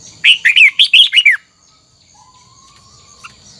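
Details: Red-whiskered bulbul singing a 'double twisted' note style, used to train the voice: one quick phrase of about six loud, slurred whistled notes, each dipping and rising, lasting about a second, followed by quiet with a faint steady tone.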